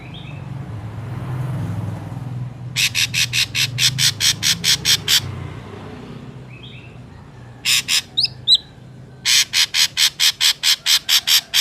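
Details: Ashy drongo voice used to attract and trap wild drongos: long rhythmic runs of grating, buzzy notes about three per second, broken by faint whistles and a quick squeaky phrase, with soft low rumble early on.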